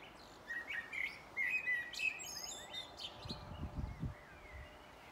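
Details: Blackbird singing at sunset: short, clear whistled phrases with sliding notes fill the first two seconds, followed by quieter warbling over a low rumbling background noise around the third and fourth seconds.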